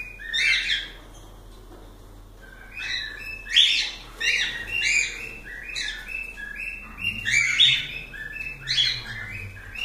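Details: Cockatiels kept as pets chirping: bursts of sharp, squeaky notes with short whistles between them, recurring every second or two amid background hiss.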